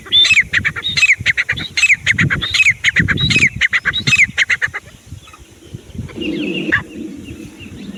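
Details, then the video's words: Grey francolin giving loud, harsh, ringing calls with a falling inflection, repeated at a steady pace for about four seconds, followed by quieter, softer notes and low background rumble. "Desi teetar // sounds teetar awaaz"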